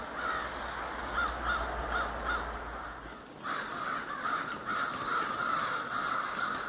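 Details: Huge flock of crows in a backyard park, many overlapping harsh caws rising and falling continuously into a dense chorus, with a low steady hum through the first three seconds.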